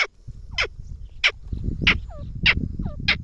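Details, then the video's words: Grey francolin calling: loud, harsh, high notes repeated about every 0.6 seconds, each trailed by a short, falling, hooked whistle, over a low rumbling background. "gray francoline teetar sound | teetar ke awaz"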